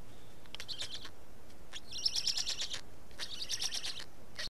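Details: Black storks feeding at a nest in Estonia, 19 May 2019, 15:43; bursts of dry, hissing rasps come in three main clusters separated by short quiet gaps.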